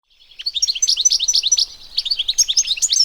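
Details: European goldfinch, locally called Arous al-Turkman or Taqtaq Shouk, singing in nature: a fast, tumbling run of bright, high twittering notes and buzzy chirps, rising in loudness through the phrase with no other sounds.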